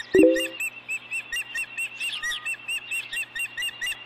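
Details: Osprey nest at Dunrovin Ranch, 4 April 2014, fish delivery from male to female; a loud low knock at the start, then continuous high chirping notes repeated several times a second.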